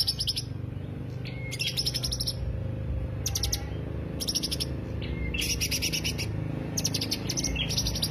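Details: Greater green leafbird lure song: short bursts of very high, rapid ticking trills roughly every second, mixed with a few lower whistled notes, over a steady low hum throughout.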